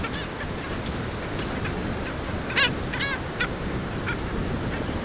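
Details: Black skimmer chicks in the colony give a few scattered nasal barks, with a louder cluster of three or four yelps in the middle, against constant wind and waves.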